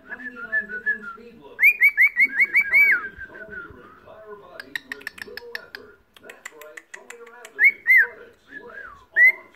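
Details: A pet cockatiel in Tauranga, New Zealand chatters with bright upslurred whistles, warbles and clicking notes in quick, uneven runs.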